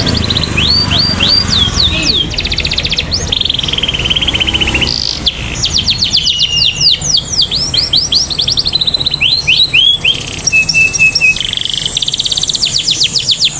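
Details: Canary in full song, used as a lure to set other canaries singing: fast rolling trills of rising sweeps, buzzy runs and brief high pure notes, going on without a break over a steady background hiss.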